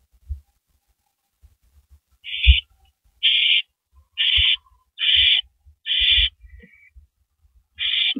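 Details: Nighttime on a porch, April 18, 2012, two owls present: a thump, then six loud, harsh hissing screeches at roughly one-second spacing, with a brief faint note between the last two.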